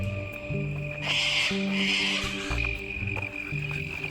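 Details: Sulphur-crested cockatoos screech loudly at night in South Australian bushland, a valley woodland with old trees and a creek. They give harsh, raspy screeches in two long bursts over a steady high drone of crickets, with frogs also heard.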